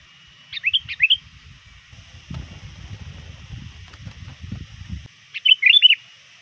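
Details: Near dusk, a trained sooty-headed bulbul calls to rivals: a trio of lively, rising chirps, a stretch of low rumbling noise, then another quick bright cluster of notes.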